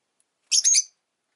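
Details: A single brief, shrill, slightly rasping chirp from a pet rosy-faced lovebird, otherwise quiet.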